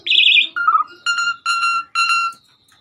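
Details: Asian pied starling on a master recording of lively 'gacor' song: one high harsh note, then a nasal slurred note and three even, rich, buzzy tones with strong overtones.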